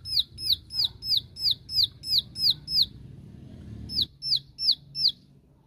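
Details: Bar-winged prinia singing in 'tembakan' style to call out rivals: a fast, evenly spaced string of piercing downslurred notes, a brief break over low rumbling noise, then four more notes.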